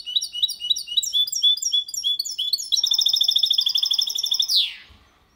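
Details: A goldfinch × canary hybrid sings cleanly without faults, a bright, high series of quick repeated notes, then a fast metallic trill ending in a downward slur.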